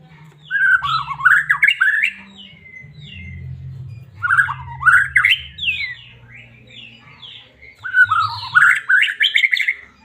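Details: Medan-type white-rumped shama singing to provoke caged birds into song; three separate bursts of varied whistles and slurred chattering notes, each roughly two seconds long, separated by pauses with a low background hum.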